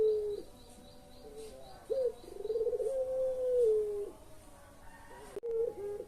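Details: Collared dove in the puter pelung style, a lure for lazy birds: a brief coo, a hooked note, a rapid pulsating roll melting into a long descending coo, then short hooked notes again.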